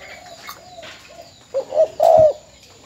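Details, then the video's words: An old caged spotted dove from Bến Tre, kept as a decoy bird and since sold, gives low, hollow coos that rise in strength toward the end, over faint background noise. "Cu gáy bến tre"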